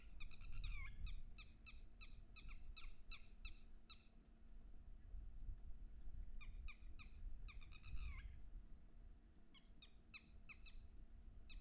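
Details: Red-wattled Lapwing (Vanellus indicus), a common breeding resident of open areas and wetlands in Haryana, gives bursts of sharp, shrill, rapidly repeated notes, several per second, some ending in a slurred drop, over a steady low rumble.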